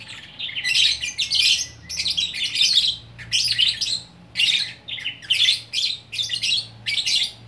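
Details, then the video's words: Lovebird from Bukittinggi, West Sumatra, singing gacor orkestra style: harsh twittering phrases about half a second long, delivered in steady pulses with short silences between. "Burung Lovebird Gacor Orkestra"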